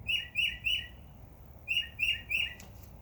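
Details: Birds in a backyard in summer, where many chirp; two bursts of three short chirping notes near the middle of the range, each with bright upper overtones, separated by a short pause.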